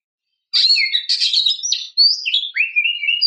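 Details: Female oriental magpie-robin calling a male: a continuous stream of buzzy, chattering high notes gives way to cleaner whistled slurs and a long level whistle, loud and close, with no other sounds.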